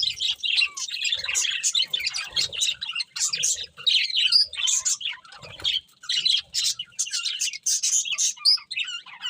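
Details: Budgerigars chirping happily during feeding, bursts of sharp high chirps, buzzy squawks and a few clear whistled slurs, separated by short gaps, with faint low rustles.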